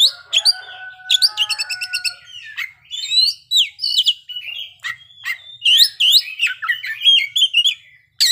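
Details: Oriental magpie-robin singing its full learned repertoire: lower steady whistled tones alongside rapid clicking trills, then a run of varied slurred whistles and sharp chirps.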